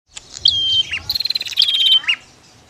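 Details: Bar-winged prinia, female and male calling together: a sharp high whistle dropping in pitch, then a fast run of dry ticking notes and a further whistled phrase, all close and loud.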